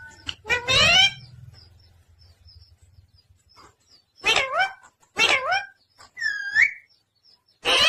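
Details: A talking parrot kept as a pet in India makes a burst of harsh harmonic calls, then after a quiet stretch repeats curved squawks and one rising whistled note.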